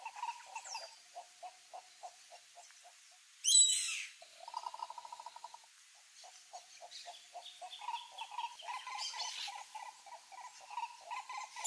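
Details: Green ibis (coró-coró) in Brazil's Pantanal giving repeated series of short, rapid hollow notes in mid pitch. A loud harsh burst breaks in near four seconds. Thin higher calls from other birds are heard later.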